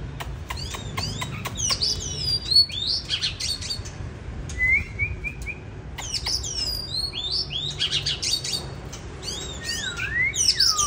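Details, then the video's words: Mature wild-caught bird singing 'than' style in winter 2023: sharp clicks and ticks between bursts of high whistled flourishes, a short low series of soft repeated notes near the middle, phrases returning every few seconds over light background noise. "Than già rừng mùa đông 2023"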